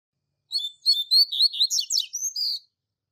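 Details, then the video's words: Tui Tui Zel Zel Clássico phrase from a Double-collared seedeater used as a training song for young birds: about nine high, sweet chirps in even succession, with sharp falling sweeps near the end. "Tui Tui Zel Zel Clássico Professor Coleiro Mestre No Treinamento e Top Para Encarte!!!"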